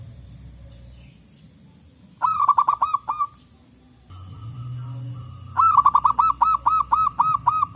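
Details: Local wild zebra doves calling back and forth in forest, used as a lure: rapid series of short hooked, ringing coo notes, a burst, a pause with low rumble, then a longer run of regularly spaced notes.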